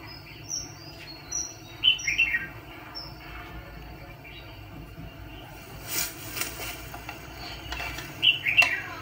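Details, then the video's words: Decoy red-whiskered bulbul for trapping fighting birds gives scattered warbled whistle phrases among thin, high chirps, with a burst of broadband rustling noise midway. "Chà mào bẫy đấu"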